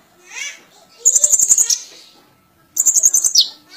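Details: Sunbird in full, lively song: two bursts of rapid, very high, thin ticking trills, each under a second long and separated by a short pause, with a faint lower murmur before the first burst.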